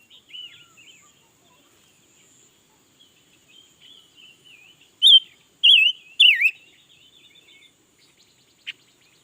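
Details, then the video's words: A new red-billed leiothrix that sings all day. Quiet scattered twitters open the recording, then three bold warbled phrases ring out, each bending up and down. A faint soft note follows later. "Suab noog nrheeb tshiab quaj lam lug le || Ngũ sắc mới hót cả ngày luôn"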